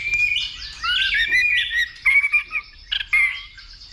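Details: White-rumped shama in full fighting song, stimulated by a female: a rich, high warbling run, then short, clear whistled notes and quick chips separated by brief gaps.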